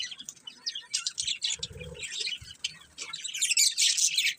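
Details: Chattering budgies give quick, high chirps and trills in a steady stream, growing louder and denser towards the end, with a brief low thud.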